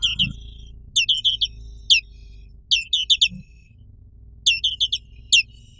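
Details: Indonesian black-capped white-eye singing in short clusters of three to four high, bright descending chirps, the clusters repeated about every second, with quiet low background rumble and a faint knock.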